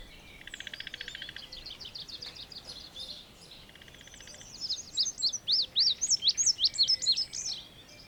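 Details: Indigo bunting singing: a high, buzzy run of rapidly repeated notes, then a brighter series of sharp, slurred chirps sweeping up and down, about a dozen in four seconds, over faint steady background hiss.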